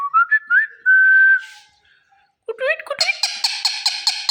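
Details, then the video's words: Pet green Indian ringneck parakeet, loud and energetic: a few quick rising whistles and one long steady whistled note, a pause, then a burst of harsh, rapidly repeated screeching calls. "Mithu Mithu ki Pyari Awaaz | Indian Ringneck Green Parrot"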